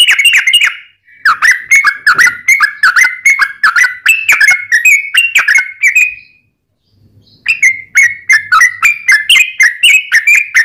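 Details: Sooty-headed bulbul song used to provoke other bulbuls into singing: long rapid strings of sharp chirping notes with quick pitch dips, broken by a short pause, then resuming in an equally steady stream.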